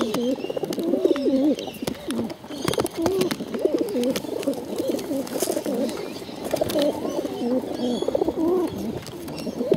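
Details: Hungry bottle-fed pigeons begging continuously: dense, overlapping wavering squeals and whines, rising and falling in pitch, hardly pausing, with a few sharp clicks in between.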